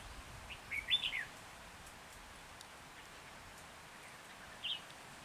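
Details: Red-whiskered bulbul used as a trapping decoy in Hòa Bình, Vietnam, 14 January 2021, gives one quick chirpy warbled phrase, then a long pause and a single brief whistled note; faint hiss throughout.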